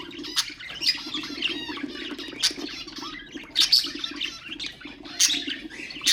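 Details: Pet budgerigars singing as a stimulus for other birds, a busy mix of scratchy warbles, short rising whistles and loud squawks every second or so over a constant low background hum.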